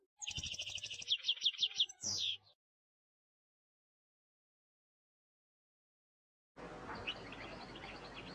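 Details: Klakla-style song of a European goldfinch: one phrase of buzzy rattling notes, a rapid run of high pure notes and a sliding falling note, then silence, followed by a hissing, noisy stretch with faint twittering.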